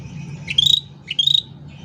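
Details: Sooty-headed bulbul, singing actively: two short rising whistled phrases, each sliding up then holding a bright steady tone, about half a second apart, above a low hum.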